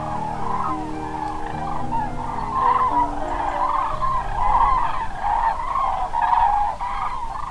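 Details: Roosting common cranes at Pramort, northern Germany's Baltic coast, settling for the night while a red deer stag passes through: massed trumpeting calls swell and fade in waves, with some louder, clearer bugles standing out in the dense chorus.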